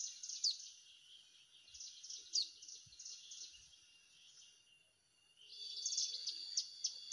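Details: Hill prinia call played as a trapping lure in Indonesia: bursts of rapid, high, tinkling notes, a slurred accent near two and a half seconds, a lull, then a denser chattering run toward the end; faint low thumps.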